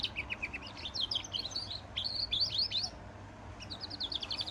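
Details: Goldfinch × canary hybrid singing a lively, continuous run of high twittering and chirping notes, with a brief pause near three seconds before the warbling resumes, over a steady low background hum.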